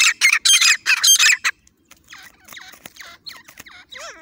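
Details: Partridge call used to lure partridges for hunting: loud, harsh, grating notes in quick succession for the first second and a half, followed by fainter, scattered shorter notes.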